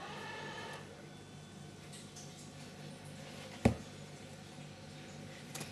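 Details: Quiet indoor hum with one sharp knock near the middle and no animal voice.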